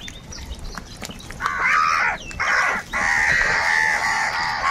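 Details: Several crows squabbling over food: after a quiet start, a continuous run of overlapping harsh, grating caws fills the rest of the recording.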